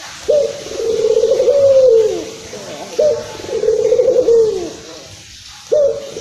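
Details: Barbary dove of the local Indonesian type, calling excitedly as a lure for other doves: two long trilled coos ending in a falling slur, a brief quiet gap, then another coo begins.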